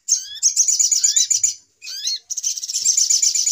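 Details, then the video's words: Short burst of little spiderhunter lure calls used in trapping: fast, high chattering with rising whistled slurs, a brief silence, then renewed rapid chips. "Suara Pikat Ribut Burung Sogok Ontong"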